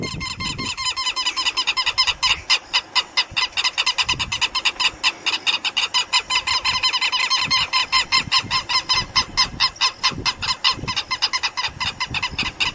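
Southern lapwings give loud, harsh, metallic calls in rapid, uneven bursts, several birds overlapping in a noisy chorus of repeated strident notes.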